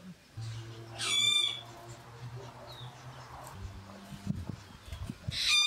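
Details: A pair of golden-tailed woodpeckers, male and female, feed their young at a nest in a fishtail palm near a house, giving two loud, harsh, nasal calls about four seconds apart, over a steady low hum.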